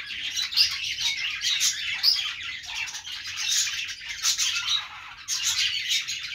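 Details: Parakeets, or budgies, chattering together: constant high twittering with scattered sharp chirps standing out above a busy warbling background.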